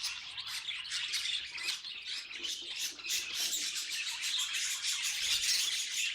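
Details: Pet budgerigars making funny noises: dense, rapid high-pitched chattering with scratchy squawks and chirps, about three per second, overlapping throughout without pause.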